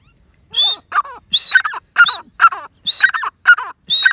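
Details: Grey francolin, known locally as teetar or Dakni teetar, calling: loud harsh repeated phrases of a high whistled note followed by rough, strident lower syllables, about two bursts per second, clean and close with no other sounds.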